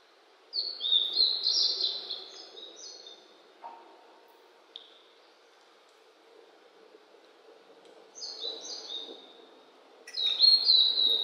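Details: On a cloudy 14°C spring day in the mountains after rain, a blue-and-white flycatcher sings three high, clear whistled phrases of stepped and slurred notes, spaced several seconds apart, over a steady low rush of background noise.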